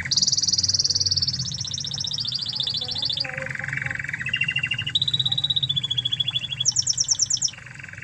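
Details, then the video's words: Original Spanish Timbrado canary of Spanish origin, recorded as a master song for tutoring canaries; long sustained rolling trills stepping down in pitch, then a high rapid burst and a low trill, steady low hum beneath. "Masteran Kenari Spanish Timbrado Ori Spanyol"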